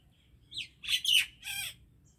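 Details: Common myna giving a short run of harsh, buzzy squawking notes.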